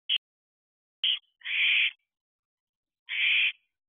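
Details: Barn owlets about fourteen weeks old at a nest box in July, near the time of leaving home, giving harsh hissing screeches of about half a second, plus two short clicks, with quiet between calls.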